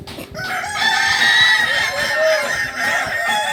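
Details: At a practice contest in Solok, West Sumatra, a Kukuak Balenggek rooster delivers a continuous harmonic crow over three seconds, steady and buzzy with slight wavering pitch, over a faint low background murmur.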